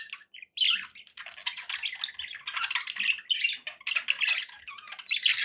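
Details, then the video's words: Budgerigars kept as pets fill the air with a continuous scratchy, buzzy chatter of mixed chirps and squawks, several birds seemingly calling at once. "budgie sounds for pet birds"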